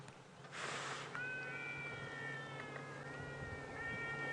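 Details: Trumpeter Hornbill at dawn (about 6 AM, around 11°C) on 13 August 2016 in northeastern South Africa, Djuma Game Reserve: a long, nasal, wailing cry, steady and slightly falling, much like a crying baby, after a brief rush of noise.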